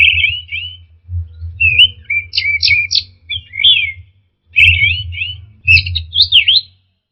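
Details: Lure recording of orange-headed thrush song meant to restart a stressed, silent bird: a busy run of varied warbled, twisting whistles and quick slurred notes in bursts, with a constant low humming background.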